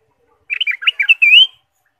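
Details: Lively ruby-throated bulbul song for stimulating caged birds: a single brief phrase of five or six jumpy warbled notes closing with a sustained upslurred whistle, no other sounds.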